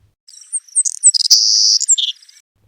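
A Savannah Sparrow sings a high, thin song: a few short lisping notes, then a long insectlike buzz and a lower closing trill.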